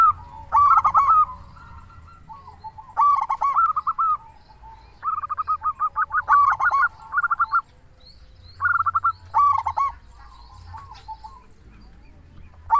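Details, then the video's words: Local zebra dove song meant to lure doves into calling and lift their breeding mood; repeated runs of fast, throaty rolling coos, each a few seconds long, with short pauses between. "Perkutut lokal gacor suara paling ampuh untuk pancingan burung perkutut agar cepat bunyi"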